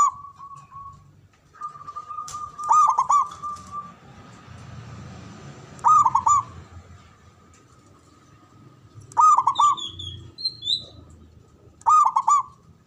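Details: Local Javanese zebra dove with a big, loud voice and long breath, used as a lure to stir breeding urge and fighting spirit; a steady tone runs under mellow trilled coos repeated every three seconds or so.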